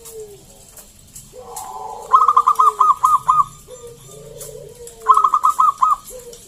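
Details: Local zebra dove song for luring other doves: low descending coos alternate with rapid series of five or six short, bright staccato notes, the pattern repeated twice.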